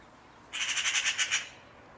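A magpie gives a harsh, rattling chatter of about eight rapid, grating notes in under a second, with only a faint outdoor hush behind it.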